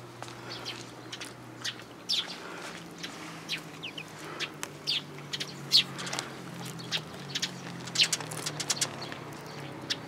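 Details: Sparrows at a feeding spot in a plum tree at a Tenmangu shrine, Japan, with a newly arrived chick, 21 June 2022; scattered short high chirps at irregular intervals over a steady low hum.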